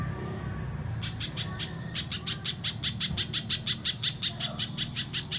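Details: Lure recording of a little spiderhunter to draw song from a young bird: a few scattered chips, then a steady, rapid series of about twenty sharp high notes.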